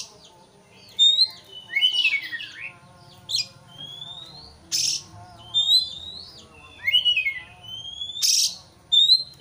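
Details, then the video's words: White-rumped shama, a caged bird, heard in training audio for provoking a rival. Clear rising whistles repeat between scratchy broadband bursts, with pauses of about a second and a half. "pancingan kacer emosi supaya lawan cepat ngotot/ emosi"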